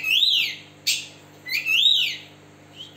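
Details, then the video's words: Oriental magpie-robin of the West Java type with a split beak, spreading its tail, used as a lure to get other birds singing; loud whistled notes that rise then slide down, separated by a sharp chip, over a steady low hum. "Kacer Jabar Buka Ekor, Cocok Buat Pancingan Burung Macet"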